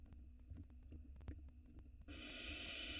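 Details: Young barn owl nestling in a nest box in Israel, 2022, swallowing a large rat whole; low rumbling and clicks give way to a sudden drawn-out, breathy hiss at the end.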